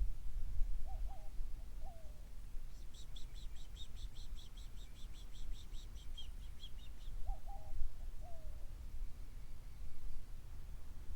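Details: Yellow-faced Grassquits calling unseen from bushes on the Ancon Peninsula, Cuba: a rapid, high, insect-like trill of repeated notes lasting about four seconds, with lower whistled notes from another bird before and after and low rumbling background.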